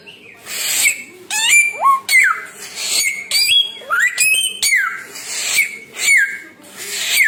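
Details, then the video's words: Samyong bird singing a varied series of loud whistled notes, many sliding downward, others rising sharply, with harsh noisy bursts between phrases. "burung samyong 1001 suara"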